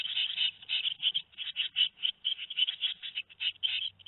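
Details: Shrill, rapid, raspy cheeping from two-week-old tit nestlings at Théding on 13 May 2019, repeated in tight bursts throughout with a faint low hum.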